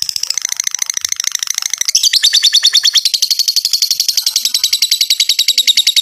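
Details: Lovebird ngekek song, used to draw other lovebirds into singing: quick, shrill chattering pulses that grow louder and denser after two seconds into a continuous rattling trill.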